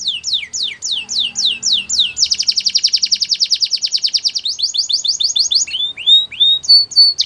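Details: Singing canary: a string of slow descending whistled notes, then a long, very fast, even trill, ending in softer chirps and a held high whistle.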